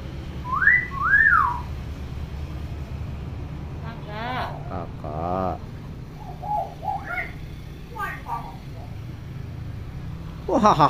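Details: Tame pet hill myna, a skilled talker that copies any sound: two arching whistles, then raspy, voice-like buzzy phrases, scattered short nasal syllables and a final harsh burst, with low background hum.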